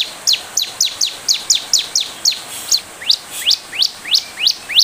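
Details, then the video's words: Lure song of a bar-winged prinia, played to make other birds answer: quick paired high chirps sweeping downward at first, then slower single rising notes about every third of a second. "Ciblek gacor, pancingan ciblek bahan biar cepat merespon"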